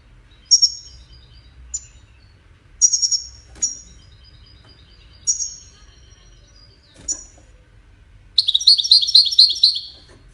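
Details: European goldfinch Widani song used for teaching chicks: scattered short, sharp, high chirps spaced a second or two apart, then a sudden burst of quick, tinkling trilled notes for about two seconds at the end.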